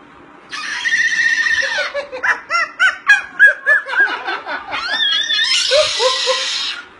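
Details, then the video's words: A very tame hand-reared Moluccan cockatoo gives a long, harsh screech, then a quick run of short squawks about four a second, and ends on another loud, rasping scream. "Moluccan Cockatoo Funny Parrot"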